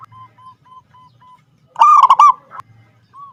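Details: Local zebra dove in active song: a string of quiet, even, mid-pitched notes, then one loud, grating, broken phrase, after which the soft notes resume.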